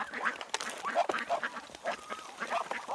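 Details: Ducks and drakes at Tsnyanka Reservoir, Minsk, in July, giving short, nasal quacks in quick, uneven bursts, with several birds calling over one another.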